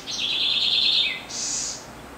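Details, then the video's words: Song of a corruíra, or Southern house wren (Troglodytes musculus): a strong, vibrant rattling trill held for about a second that drops at the end. A brief, higher, hissing burst follows, and the surroundings are otherwise quiet. "O Fascinante Canto da Corruíra – Pequena, Mas de Voz Poderosa! 🎶🐦Southern House Wren"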